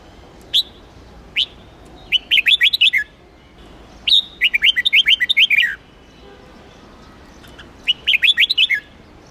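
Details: Huế red-whiskered bulbul, trained for song contests and singing to excite young birds: a few isolated sharp chirps, then rich, fast, rolling phrases of bubbling, up-and-down whistles, repeated roughly every three seconds against quiet background.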